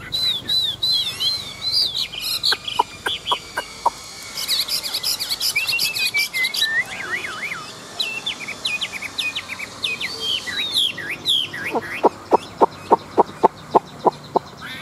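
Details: Chinese hwamei, a big adult wild-caught fighting bird known for its forest voice. It delivers a rich stream of varied whistles, slurs and trills, with a regular series of sharp knocking clicks near the end.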